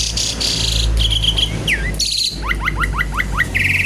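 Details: Javan pied starling in full, noisy song, said to be seeking a rival: varied loud whistles and trills, then a run of rapid rising whistled notes repeated about six times, ending in a buzzy trill, over steady low background hum.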